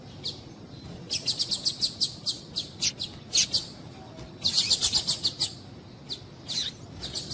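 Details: Female double-collared seedeater calling to stir a male into singing: rapid series of short, sharp high chirps in bursts, about eight quick notes then pauses, another dense burst near the middle, a few scattered chirps after.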